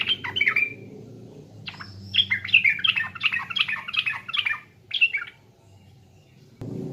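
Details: Trucukan, the sooty-headed bulbul of East Java, in a pancingan lure recording: an opening warbled burst, then a fast string of bright, liquid, bouncing notes for about three seconds, ending abruptly before a low rumble.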